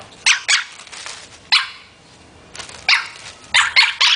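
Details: A pet parrot playing with a plastic bag gives short, harsh, dog-like barks, single and in quick pairs, with broadband bursts and bag rustling between them.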